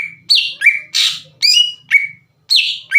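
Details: Greater green leafbird (cucak ijo) singing in full voice as a lure to excite other leafbirds: loud sharp notes that sweep down from high to a steady whistle, about seven phrases in three seconds with brief gaps.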